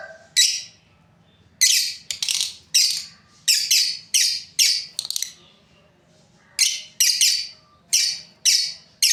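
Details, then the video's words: Breeding pair of lovebirds giving harsh, high, shrill chirps in quick bursts, about sixteen notes with a silent gap midway, then a fresh run of evenly spaced shrieks. "Beautiful lovebirds chirping sounds"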